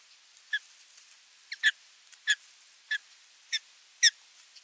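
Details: Osprey at nest camera 3 on 27 June 2022 after a fish delivery, watching the feeding. Clear, high whistled notes repeated steadily about every half second.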